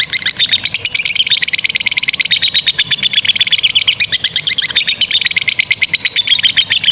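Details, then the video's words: Continuous ngekek trilling of a lovebird, intended as a tutor for juvenile and non-singing lovebirds, packed with fast, sharp, high chattering notes that never break. "GACOR SUARA 16a love bird ngekek PANJANG INI Cocok untuk Masteran love bird paud dan Macet"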